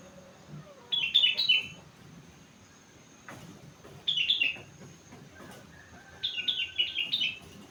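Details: Four-month-old sooty-headed bulbul in full song with rengganis and cucak wilis imitations: three short bursts of quick, tumbling whistled notes, spaced about three seconds apart, over a faint background hum.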